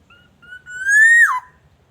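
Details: Black-naped oriole, a highly active bird from Aceh recorded as a lure for orioles: a short whistled lead-in, then a longer, loudening, slightly rising fluty note that slides steeply down at its close.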